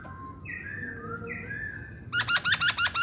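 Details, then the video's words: Chinese hwamei song: drawn-out whistled notes, some rising, then a loud rapid run of repeated looping whistles, about six in one second, over a low background hum. "Kicauan Poksay Hongkong"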